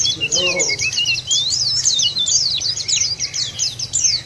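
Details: Pleci, the white-eye, in a lure track for kept birds: a nonstop, very high, rapid twittering with quick zigzag whistles, and a short lower warble near the start.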